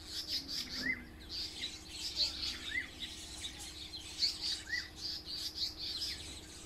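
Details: African paradise flycatchers give dense, high, scratchy chattering calls while harassing a hornbill near their nest with chicks at Onverwags Caravan Park; a lower, arched whistled note recurs every two seconds or so.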